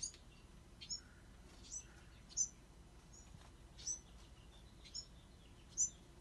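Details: Bewick's wren fledglings giving sharp, very high squeaks and chirps at irregular intervals, some louder than others, with a low steady hum underneath.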